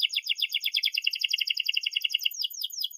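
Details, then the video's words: Canary song serving as a model for young canaries learning to sing: a dense, fast rolling trill of high bright notes repeated many times per second, ending in a few slower slurred chirps. "kenari gacor panjang NEMBAK TAJAM ini ahlinya untuk PANCINGAN KENARI PAUD BELAJAR BUNYI"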